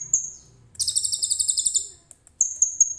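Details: Common iora singing with cililin phrases, filmed on a phone: one high whistle, a buzzy trill of about twelve rapid pulses, a short silence, then renewed high piping notes.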